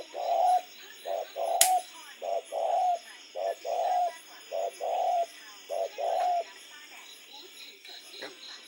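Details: Spotted dove calling after dark: series of hollow low coo phrases, short notes followed by longer held coos, repeated steadily for about six seconds before fading, with one sharp click and a constant faint high hum.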